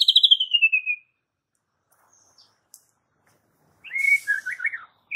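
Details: White-rumped shama song used as a calm but sharp lure for provoking young fighter birds, including wild-caught juveniles. A pulsed, descending whistled trill opens, then a long pause, then a burst of warbled, wavering phrases.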